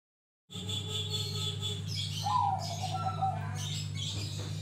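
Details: Grey-bellied bulbul singing actively, used as a lure to set other birds singing: a clear descending slurred whistle near the middle, high chirps and twitters above, over a steady low electrical hum.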